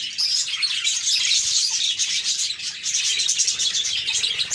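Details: Parakeets chattering cheerfully, a lively jumble of sharp chirps, squeaks and warbled phrases from several birds, steady and unbroken.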